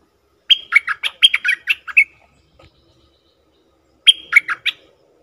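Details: Wild-bird lure recording of a bulbul: a rapid phrase of bright, chattering, slurred notes lasting about a second and a half, a pause, then a shorter repeat of the same phrase.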